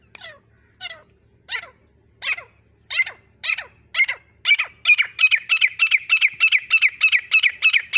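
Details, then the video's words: Female grey francolin calling, used to lure birds for hunting: loud descending harsh notes that speed up from about one every 0.7 seconds into a rapid, steady run of repeated squeaky notes. "female Ki Awaz Shikar ke liye no city only sound birds lover female masti Sindhi teeter bagra teetar"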